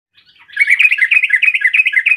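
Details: Sooty-headed bulbul delivering a quick, bubbly chatter of short repeated notes after a few soft introductory chips, a song used to provoke rival birds into answering.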